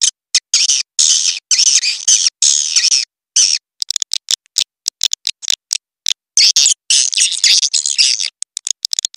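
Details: Swiftlet lure call, an outside pulling call used by swiftlet farmers in Indonesia: loud, high buzzy chirps in dense bursts, then a rapid scatter of short twittering notes, then sustained chattering.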